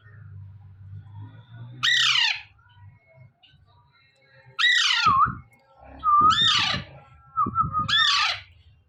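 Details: Young Alexandrine parakeet kept indoors, morning calls: a harsh falling squawk followed by three more screechy calls, some starting with a short whistled note, over faint low background hum.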